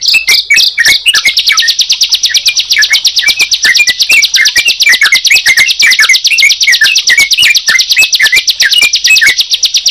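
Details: A long stretch of bar-winged prinia and yellow-vented bulbul singing together: a continuous rapid high rattling trill with lower whistled slurs dotted through it.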